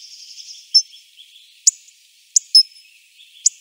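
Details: Hawfinch producing abrupt, high-pitched tick notes at irregular spacing, with a continuous wash of faint high bird twittering behind them.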